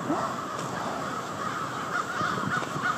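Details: Nightly crow roost in Victoria Park, Charlottetown, Prince Edward Island: a huge flock producing an unbroken mass of raspy caws layered on top of one another, with a few louder nearby calls near the end.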